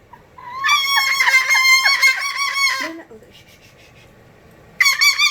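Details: Cockatoo kept as a house pet producing a whistle it was taught as a trick: a long, rough, pulsing warble of about two seconds, a pause, then the same buzzy whistle starting again.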